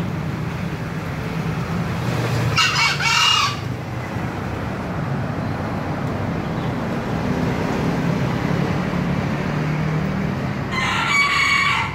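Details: Two harsh, two-syllable crows of a green junglefowl, one early and one cut short at the end, separated by about eight seconds of low rumbling background.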